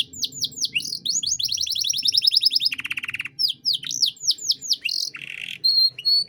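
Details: Canary singing a lively 'gacor cengkok mewah' style song, used as a master recording to train young songbirds: rapid runs of high down-slurred whistles and fast trills, broken by a lower buzzy rattle, with faint low background hum.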